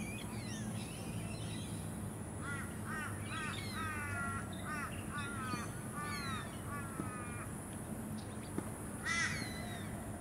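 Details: Forest kingfisher on the Sunshine Coast, Queensland, February 2024: a run of rasping, stacked notes repeated about twice a second for several seconds, then a pause and one sharp note near the end, with constant high hiss and low background rumble.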